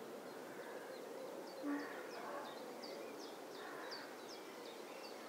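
A European turtle dove gives soft, low purring phrases, two bouts about two seconds apart, while another bird adds short high chirps throughout.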